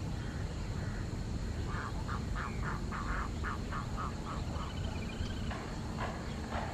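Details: Indian Spot-billed Duck at Dodda Begur Kere lake, Bangalore, 28 November 2020, giving a run of about eight nasal quacks over roughly two seconds, fading toward the end, against a steady low rumble of wind.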